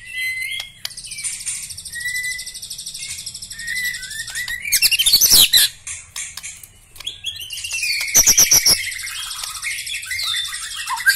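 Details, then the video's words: Black-legged white-rumped shama delivering a long varied song: high buzzy trills, short clear whistles, a loud rising harsh burst and rapid rattling phrases. "Ciri khas gaya dan Suara murai Batu kaki hitam istimewa"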